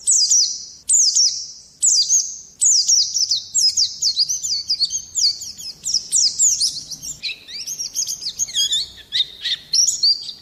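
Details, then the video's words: Oriental white-eye singing a song meant for luring and tutoring other birds: a stream of high, thin, rapidly descending notes in quick clusters, with lower twittering phrases toward the end. "kicau burung Pleci"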